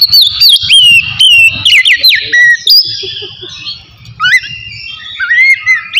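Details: Oriental magpie-robin in relaxed, free-flowing song, played to stir its emotion and breeding drive: loud varied whistled phrases sliding up and down, sharp squawks and clicks, pausing briefly before rising whistles resume.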